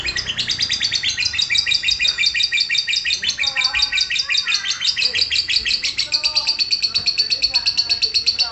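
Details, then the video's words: Lovebird in ngekek style, a long unbroken chattering trill of rapid, high, buzzy repeated notes, about three per second, steady throughout with slight shifts in pitch. "Cek - cek cer Lovebird langsung ngekek"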